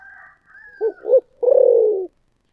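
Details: Spotted dove cooing in the thổ sấm style: two short rounded notes, then a long pulsed coo that slowly drops. A fainter, higher drawn-out tone sounds at the start.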